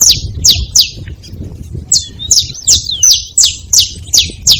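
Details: Saffron finch calling at a feeding spot, a rapid series of high, sharp downslurred chirps repeated nearly three times per second, with one longer sweeping note, over low background rumble.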